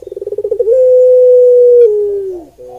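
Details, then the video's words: Barbary dove (Streptopelia risoria) giving one coo: a fast series of pulsing notes rises into a long, smooth, steady tone that slowly slides down and fades. "Suara Puter Pelung Merdu (Streptopelia Risoria)"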